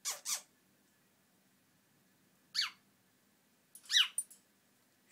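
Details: Pet African grey parrot giving short, high, downward-sweeping whistled squeaks: a quick double squeak at the start, a single one near the middle, then a small cluster of three, with near silence in between.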